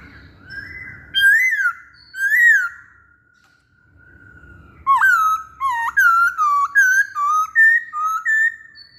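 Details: Masked laughingthrush song used as a lure for other birds: clear, loud whistled phrases, first two slurred rising-falling notes, then after a pause a run of short, clean whistles repeated about every half second.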